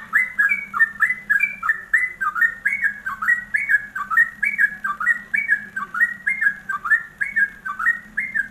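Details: Yellow-vented bulbul singing in the rapid ropelan style, recorded as a tutor track for training songbirds: fluty, bubbling two- and three-note phrases rising and falling, repeated about once a second without pause, over a steady low hum.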